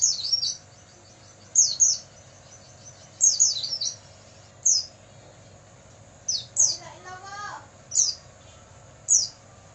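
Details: Sparse Oriental white-eye night song meant to tutor caged birds: short high, descending chirps every second or two, with a lower wavering sliding call midway and a constant background hum.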